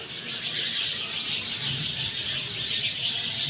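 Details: Sparrows chattering together after monsoon rain in Sanghar, Sindh; a thick wall of bright, overlapping chirps from many birds fills the whole stretch, with a soft low background murmur.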